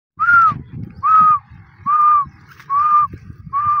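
A female grey francolin gives five loud, even whistled notes, each about half a second long, about once every 0.7 seconds, over a low background rumble.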